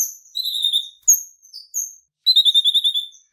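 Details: A red-rumped parrot, a small Australian pet and aviary parrot known for a two-tone soft whistle and pleasant warbling, gives high, sweet whistled phrases, each a slurred warble, then a rapid trilling run of pure chirps.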